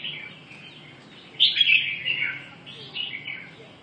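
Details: Red-whiskered bulbul gives a quick, slurred, warbling phrase that swells to a loud peak midway. A softer, lilting tail follows over a low background hum.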